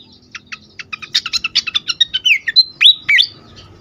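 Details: Agitated fantail used as a lure and stimulus for birds: an accelerating series of short high chirps builds in volume and breaks into loud slurred whistles and swoops.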